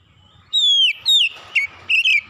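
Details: Oriental magpie-robin calling, recorded as therapy chirping: a long pure whistle gliding downward, a second shorter falling whistle, then a brief note and a wavering whistle, loud and clear.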